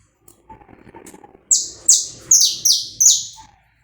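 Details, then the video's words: Saffron finch singing, recorded live and uncut for warming up another bird: after soft low murmuring, five loud, very high buzzy notes, each sweeping downward, repeat roughly every half second, followed by a faint whistle. "esquenta seu canário da terra em 10 minutos. som gravado aí vivo sem cortes"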